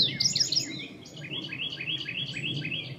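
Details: Newly arrived indigo bunting with unfinished molting plumage, giving loud high doubled notes at first, then a steady row of evenly spaced downslurred phrases at slightly lower pitch.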